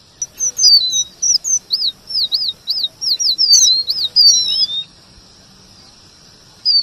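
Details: Trained red avadavat, said to copy white-rumped shama song, delivers a run of bright, high, bouncing looped whistles in quick succession for nearly five seconds, then falls silent apart from a faint steady hiss.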